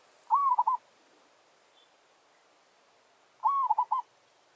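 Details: Merbok kampung, a zebra dove, issuing its territorial challenge song to a wild forest bird: two clean phrases about three seconds apart, each a rising whistled coo followed by three quick rolled pulses, in a quiet background.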